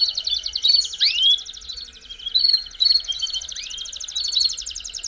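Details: Belgian canary song for warming up canaries: a steady, rapid high trill broken by two rising, swooping whistles and a few sharp accents, fairly soft overall.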